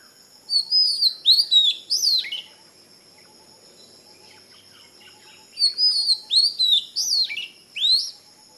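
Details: Oriental magpie-robin, Kerala, sings two bursts of loud, curving whistles with sharp up-slurred notes, separated by about three seconds of quiet, with soft insect-like buzzing below.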